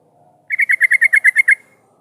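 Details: Yellow-vented bulbul singing as a lure for other bulbuls: a single quick rattle of about ten bright, evenly spaced chirping notes lasting around one second.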